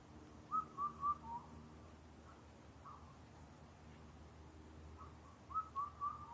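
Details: Rare Indian cuckoo calling in Karuizawa, Japan: two four-note whistled phrases about five seconds apart, each with three quick level notes and a lower closing note, with faint low background rumble between them.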